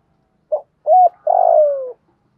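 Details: Spotted dove giving a thúc gù style coo, used as a lure to get newly caught doves to call back: a brief low note, a short clipped coo, then a long buzzy coo sliding gently downward, in otherwise silent surroundings.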